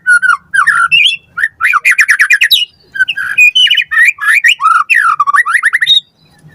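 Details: White-rumped shama singing a dense, rich medley used to train captive birds: rapid warbles, slurred whistles and harsh trilled notes running almost without pause for six seconds.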